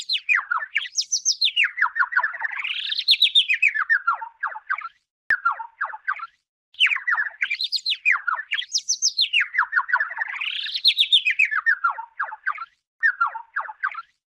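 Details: Warbler bathing in a plastic bottle of water in the dry season sings fast, bright chirps run together in long sweeping phrases that rise and fall, the same pattern heard twice with brief pauses.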